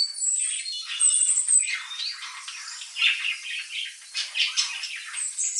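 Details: Budgerigars kept as pets react to strange birdsong: a continuous jumble of harsh squawks, clicks and whistled notes, with loudness rising and falling in uneven waves.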